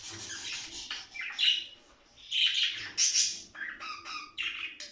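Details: Budgerigar chatter used to encourage play and breeding: raspy squawks, buzzy warbles and high squeaks in short irregular bursts separated by brief quiet gaps.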